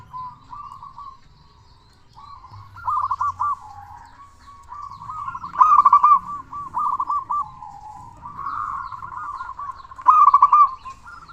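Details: Zebra dove of local stock with a big voice, used as a lure to rouse other doves. Repeated rolling, trilled coo phrases, several loud and bubbling, alternate with softer connecting notes over about eleven seconds.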